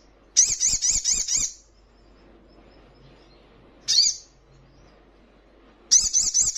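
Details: Crimson sunbird (sogon) recording used to prompt caged birds to answer and quiver their wings: a rapid run of sharp, high, wavering notes, then a lone piercing chip and another fast high burst.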